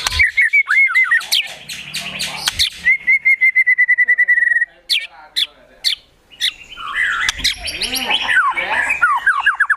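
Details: White-rumped shama in agitated song: a fast run of staccato whistled notes, then a long, even trill on one pitch, then sharp bursts and harsh, jumbled imitation phrases.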